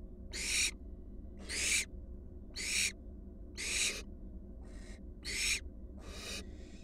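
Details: At a nest box revisited by four wild barn owl fledglings, harsh noisy hisses come about once a second, strong and weaker bursts mixed, against a constant low hum.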